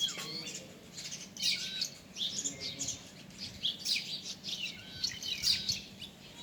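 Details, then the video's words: Several birds give busy, high chirps and short squawky notes in quick, overlapping bursts throughout, with a faint low background hum. "Amazing Bird sounds"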